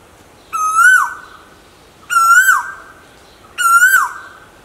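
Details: Asian koel, from a recording presenting male and female calls: a loud, clear whistled note that rises then drops sharply, given three times about every 1.5 seconds over a quiet background.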